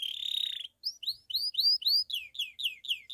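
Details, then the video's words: Belgian canary, pied, delivering its bell-type song to stimulate other birds and females: a short buzzy trill, then a run of clear rising whistled notes turning into falling ones, roughly four per second. "Canário Belga canto CAMPAINHA (sing bell belgian canary)"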